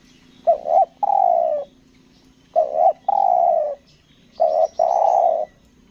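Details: Spotted dove used as a trapping decoy on Lombok, giving its stuttering 'selang nguku gagap' coo: three phrases, each a short doubled hiccup of notes followed by one long, slightly falling coo, about two seconds apart.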